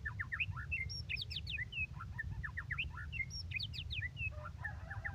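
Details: Energetic white-rumped shama song of quick chirped notes and sharp downward slurs in repeated bursts, with a steady low hum behind.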